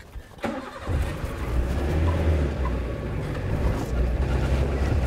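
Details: A vehicle engine starts and revs into a loud steady drone, with no animal sounds audible.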